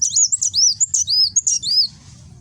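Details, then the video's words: Close, loud 'nembak' song of a Kolibri Wulung sunbird from Gresik, East Java, recorded on an Android phone: a continuous two-second tumble of shrill twittering whistles, rising and falling slurs, ending abruptly. "Burung Kolibri Wulung nembak"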